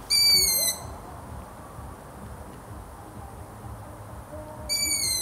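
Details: A long-eared owl sounds a thin, strained squeal lasting under a second. It comes once at the start and again near the end, with quiet hiss between.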